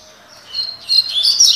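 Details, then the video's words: Short, loud fragment of Double-collared seedeater song in the tui tui style: high, bright twittering notes rising in pitch near the end of the phrase. "COLEIRO TUI TUI (TOCÓ)"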